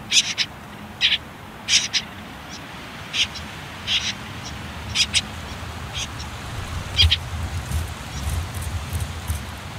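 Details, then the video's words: Common whitethroat nestlings, well grown and on their last day in a hidden nest under reeds and nettles near a river, give short, high, scratchy begging calls in brief bursts every second or so, over a low background rumble. "Птенцы последний день в гнезде Славка серая"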